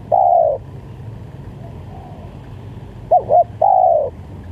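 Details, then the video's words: Spotted dove calling, as used to lure doves: a long flat coo, a pause, then two short curved coos and another long held coo, low hum throughout. "Pikat Tekukur"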